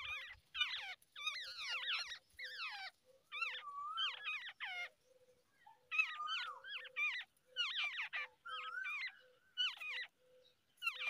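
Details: Wild babbler at the nest, feeding and cleaning up after its chicks, with parent and young chirping to each other; bursts of quick, sliding, downward chirps in short clusters, separated by brief silences and a soft low tick between bursts.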